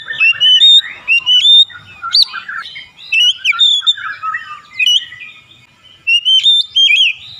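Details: Oriental magpie-robin in a therapy recording to trigger singing: rich whistled phrases, high sharp upsweeps and twittering warbles, delivered in rapid bursts across the whole stretch.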